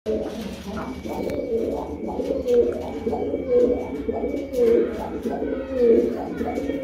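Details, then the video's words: Pigeons cooing together in low, throaty, rolling coos that overlap continuously, with repeated swelling phrases about once a second and a faint steady hum in the background. "Pigeon Sound"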